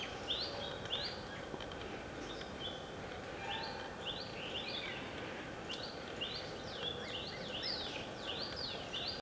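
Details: Indian grey hornbills at Vaccine Depot, Belgaum, Karnataka, India, in January 2013: high squeaky notes that rise then drop, given in quick bursts and repeated many times, over a steady hum of background noise.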